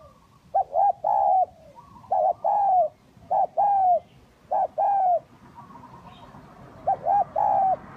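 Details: A spotted dove, in a lure recording, gives soft, mellow coos: short notes run into a longer drawn-out coo, repeated about every second with a brief pause before the last phrase.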